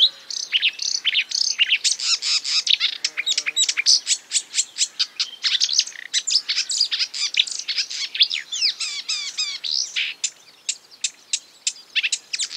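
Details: Marsh warbler song made of imitated bird sounds: a long, energetic sequence of crisp ticks, scratchy chatters and quick whistled phrases, with a brief lower rattle partway through.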